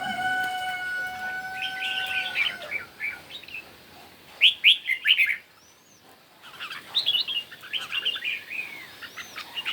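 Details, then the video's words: Red-whiskered bulbul singing in a morning contest, with chattering warbled phrases after a steady, even, whistle-like tone at the start, then a louder burst and more chirpy notes. "Chim Chào Mào Hót Đấu Buổi Sáng"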